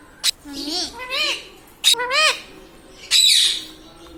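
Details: Talking pet Indian ringneck parakeet laughing indoors: bursts of bright, wavering harmonic notes that rise and fall, with sharp clicks and hissy squawks between them, in three groups across about four seconds.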